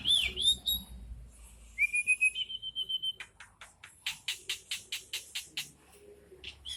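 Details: Starling singing: a few clear whistled notes, one long level whistle, then a fast series of short, sharp clicking chips repeated about four times a second.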